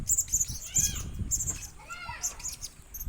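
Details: Young tame pet blue-crowned hanging parrot, one year old, raised from a chick, giving thin, very high shrill chips in quick bursts. Lower arching warbled notes and low rustling or handling noise run beneath.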